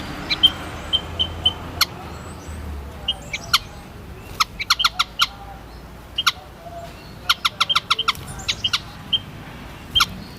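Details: High, thin whistled notes of a white-headed munia in irregular bursts, alongside numerous sharp clicks and a faint low rumble early on.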